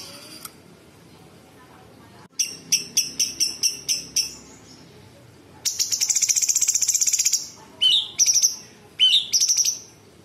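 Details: Rapid tembakan-style singing from a sooty-headed bulbul, packed with mimicked small birds, big birds and insects: a string of high staccato notes, a dense two-second rattling trill, then several shrill upslurred whistles.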